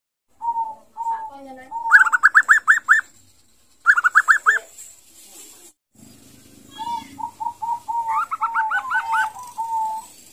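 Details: A tame, roughly two-month-old zebra dove, not yet independent and still hand-fed each afternoon, practises its call while held in the hand: soft, even notes broken by quick, rising staccato bursts, with faint rustling.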